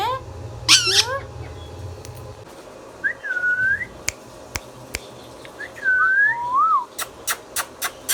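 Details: Indian ringneck parakeet, pet talking bird: a hoarse chattering burst, then looping whistled notes that rise and dip, followed by a string of sharp clicks.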